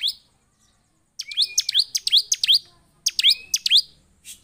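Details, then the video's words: Agitated, chatty Bar-winged prinia singing to provoke other prinias into song: two bursts of sharp, high chirps mixed with a thin drawn-out whistle, the first burst about eight notes and the second about four. "Burung ciblek penuh EMOSI DAN GACOR efektif memancing ciblek lain cepat bunyi dan emosi"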